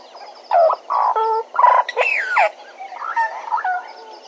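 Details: At Djuma, a Bennett's woodpecker gives a run of loud, harsh, buzzy notes, each about a third of a second long, climaxing in a sharp rising-then-falling squeal, then quieter chattering fragments.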